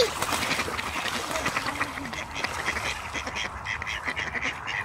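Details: In a calm pond in Espoo, Finland, ducks splash about and give a busy run of harsh quacks. Running water and faint distant murmur fill the background.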